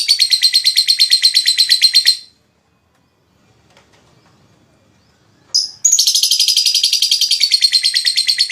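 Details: Lovebird ngekek song meant to stimulate other lovebirds: a rapid shrill chatter, a two-second silence, a single chirp, then the fast chatter resumes.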